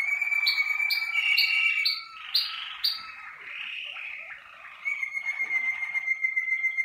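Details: Malinois Waterslager canary warming up on one of its first sessions in the singing cabinet: a steady whistled tone, then a row of short, sharp upward notes, a burbling passage, and a return to the sustained whistled note.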